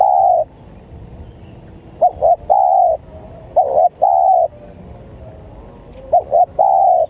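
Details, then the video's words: Spotted dove cooing, used as a lure for wild birds: a trailing long coo, then three phrases of two clipped notes leading into a drawn-out, even coo, repeated every two seconds or so. "Pikat Tekukur,Menekan, Tekukur Liar"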